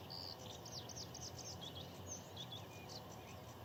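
Bluethroat giving a quick run of thin, high chirps and short whistled notes, varied and rapid, over a steady hiss of background noise.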